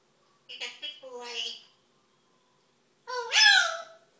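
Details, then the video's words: Parrot imitating the exclamation "Oh no!": a short nasal two-part phrase, then after a pause a louder falling squawky cry, in a quiet indoor room. "Parrot imitates Mr Bill "Oh no!""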